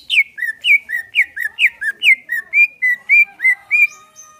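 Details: Relaxed-style song of the greater green leafbird, used to coax caged birds into singing: steady, rapid chain of clear whistles, each dropping sharply in pitch, then evening out into level notes.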